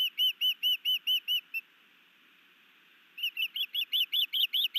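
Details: New male osprey performing a sky dance with a fish for his mate, Missoula, Montana, 11 May 2019: seven clear piping notes, a pause of over a second, then a faster series whose whistles sweep upward.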